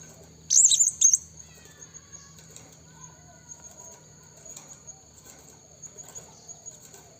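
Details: Blue-crowned hanging parrot used as a lure to call wild rivals in the forest: one half-second burst of shrill, warbling high notes, then faint chirps over a constant shrill insect hum.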